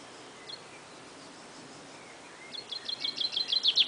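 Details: Unidentified songbird, described as sounding like it is shooting laser beams: after quiet hiss, a rapid series of high, buzzy, laser-like notes starts midway, about four per second, swelling louder toward the end.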